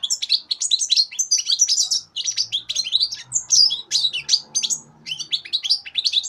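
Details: European goldfinch youngster, three months of age, 2015, pouring out an almost continuous stream of bright, liquid twitters and buzzy trills, high-pitched and rapid, with barely any gaps; a soft low hum in the background.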